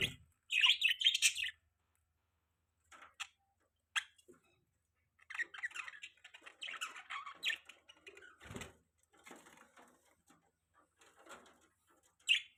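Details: Budgerigars giving scattered scratchy chirps and short warbling bursts separated by quiet gaps, with a loud squawky opening phrase and a low knock midway.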